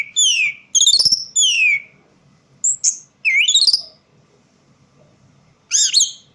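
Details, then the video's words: Orange-headed thrush in a poorly lit place producing loud, clear whistled phrases that sweep downward, a sharp high note, then a long pause before a final bright rising phrase. "Burung Anis merah bunyi tanpa bayangan"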